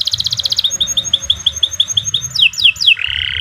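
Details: Singing canary delivers a fast rattling trill, then evenly spaced short whistled notes, three steep downward sweeps and a closing buzzy roll, all high-pitched and bright.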